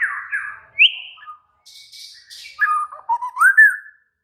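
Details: Excited White-rumped shama song mixing warbled low notes, a quick upswept whistle, a soft buzzy passage, and a closing series of clear rising and falling whistles.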